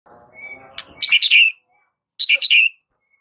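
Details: White-rumped shama training recording meant to stir silent shamas into singing: faint low murmur at first, then two loud bursts of rapid, buzzy chattering notes sweeping downward, separated by a short silence.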